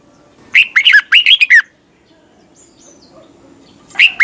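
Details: Morning song of a red-whiskered bulbul, competition 'twisted voice' style played to train birds: one rapid phrase of six or so clear, rolling whistled notes, a long quiet pause, then the next phrase starting.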